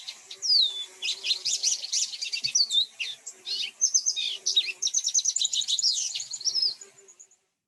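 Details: Lesser goldfinch (Spinus psaltria) complex song: a long, rapid jumble of high twittering, buzzy and whistled phrases, with many mimicked phrases from other birds' songs, tumbling together for about seven seconds.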